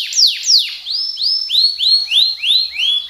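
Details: Colour canary giving two sharp falling whistles followed by a steady series of upward-curving slurred notes, about three per second, clear and ringing.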